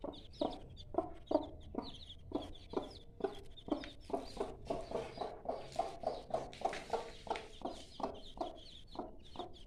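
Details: Repeated soft low clucks from a mother hen beside her five-day-old chicks, evenly paced about three per second, overlaid by high chick peeps and a faint background hum.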